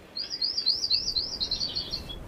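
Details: 'Akeke'e recorded in 2005 on Kauai, Hawaii, giving its characteristic high, thin trilled series of rapid wavering notes for about two seconds, with only faint background hiss.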